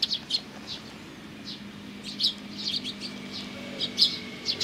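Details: Sparrow chicks with parents, recorded 17 May 2019: scattered high chirps, some doubled, spread unevenly, with a faint low background hum.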